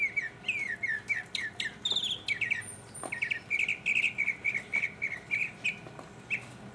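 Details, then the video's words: Mockingbird solo from 2015: a long chain of short twittering phrases, each note repeated several times before the bird changes to a new one, with a brief high whistle midway and a constant low hum behind. "mockingbird Solo"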